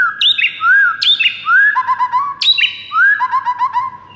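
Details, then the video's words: Morning song of a white-rumped shama, played to train birds to sing: rich, varied whistled phrases with rising slurs, sharp high notes and rapid chattering trills, repeated in close succession over a quiet background. "PAGI HARI , 98% Murai bakal ikutan GACOR plus NARUNG seketika dengar MASTERAN ini"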